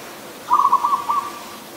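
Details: Adult zebra dove in Ubon Ratchathani, Thailand, recorded 24 December 2020: a single rolling, trilled coo of rapid staccato pulses, mid-pitched and lasting under a second, against a quiet background.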